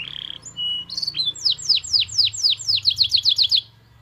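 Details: Vigorous 'gacor' canary song in the 'cengkok mewah' style, opening with short steady whistles, then a series of loud descending sweeps that quicken into a fast, tight run, with a faint low hum underneath.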